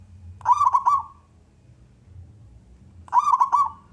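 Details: Zebra dove of local wild stock with a big voice, singing to coax other doves to call; two short rolling, bubbling coo phrases about two and a half seconds apart, low background hum.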